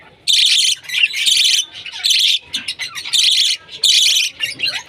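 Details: A pet bird kept as an alarm clock chirps in loud, harsh bursts of about half a second, high and noisy, repeated irregularly with short gaps and a few softer notes between.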